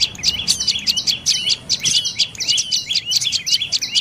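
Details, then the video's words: Sharp, high-pitched chirps from a dark-necked tailorbird, delivered in quick repeated clusters with short dips between groups, no other sounds standing out. "เสียงนกกระจิบคอดำDark necked Tailorbird Sounds"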